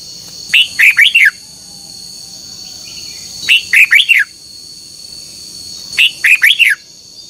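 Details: ['Red-whiskered bulbul singing in the morning in contest style, meant to spur birds to sing: three short, loud warbled bursts of looping notes at roughly two-and-a-half-second intervals over a steady high hum.']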